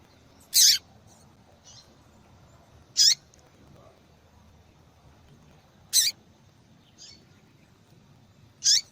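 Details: Female yellow-bellied seedeater giving loud, sharp high call notes roughly every two to three seconds, each followed by a faint softer note, in a quiet setting.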